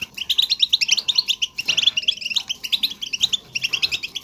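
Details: Chirping of a European goldfinch, played to encourage a goldfinch to sing: rapid clusters of bright tinkling notes in bursts, with brief gaps near the second and the middle, and quiet room noise beneath.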